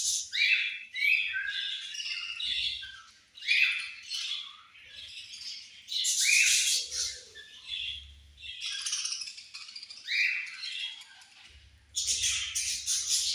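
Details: Pet budgies chirping while being fed: continuous high scratchy chatter broken by sharp rising squeaks, the flock's noise swelling and fading in waves over roughly a dozen seconds, faint low rumbles between.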